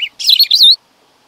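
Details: Black-throated grosbeak: one brief note, then a dense, tumbling warble that ends in a clear rising-and-falling whistle. The phrase lasts under a second, with silence afterward.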